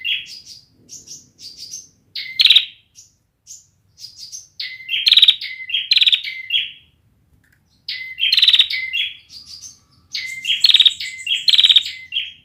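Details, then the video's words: Unfinished song of a young bar-winged prinia: a long series of high thin notes building into loud phrases of whistles and buzzy trills, repeated in several bursts with short silent gaps. "suara burung ciblek belum jadi"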